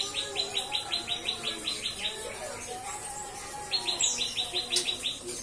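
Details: Captive-bred white-rumped shama singing cikris: two runs of evenly spaced sharp, high chips, about five per second, with a short quieter gap of low whistles between them.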